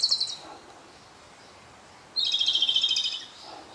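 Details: Japanese robin singing on the final day of its six-day visit to a regular birding site, in dim light; a rapid rattling trill starting with a sharp high note, following the tail of an earlier phrase.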